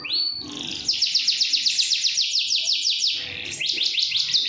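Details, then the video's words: Long rolling canary song used to train other canaries and coax silent birds into answering: a rapid high trill of evenly repeated notes lasting several seconds, then a new sweeping phrase, with faint low background noise. "SUARA KENARI NGEROL PANJANG AMPUH UNTUK MASTERAN"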